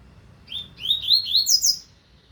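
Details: Coleiro, double-collared seedeater, 2025 season: one thin note, then a smooth, accelerating run of rising buzzy slurs climbing steadily higher in pitch, lasting about a second.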